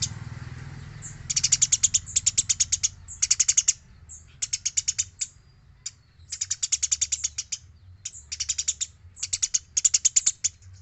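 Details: Gereja, Eurasian tree sparrow, recorded as a master for training other birds: after a second of hiss, repeated bursts of rapid, piercing high chirps in rattling runs with short pauses between, faint hum underneath.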